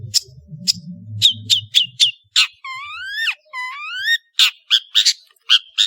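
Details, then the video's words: Long-tailed shrike (cendet) in vigorous song for training songbirds: short high chirps, then two long rising, strongly harmonic slurred whistles, then more quick chirps, over a faint low hum at the start. "MASTERAN BURUNG CENDET GACOR"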